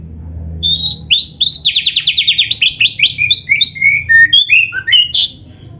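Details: Oriental magpie-robin singing, meant for training caged songbirds: a fast series of repeated high chattering notes, followed by varied whistled phrases sliding up and down, rich and loud.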